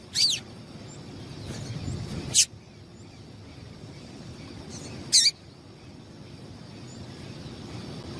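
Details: Calls of a female yellow-bellied seedeater meant to excite males: three sharp high chips, the first two about two seconds apart and the last after a longer gap, set against low rumbling background noise.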